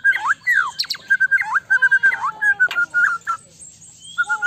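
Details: Lure song of a white-rumped shama, meant to prompt a quick answer from another shama: loud, clear mid-pitched whistles repeated in quick succession, with downslurred and upswept notes, a short pause, then the whistling resumes.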